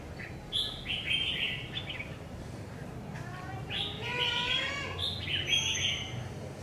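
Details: Red-whiskered bulbul, a newly acquired decoy bird being tried out, sings bursts of bright warbled phrases, rich and slurred with rising and falling notes, in several groups with short pauses between; low background hum throughout.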